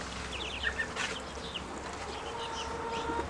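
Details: Grown ducklings calling when hungry: a quick run of thin, high peeps, brief downslurred chirps in short bursts over a low steady hum.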